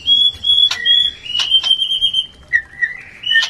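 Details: Breeding-urge lure sound of a white-rumped shama: sustained high whistles broken by sharp clicking notes, followed by lower, wavering whistled phrases that climb again at the end.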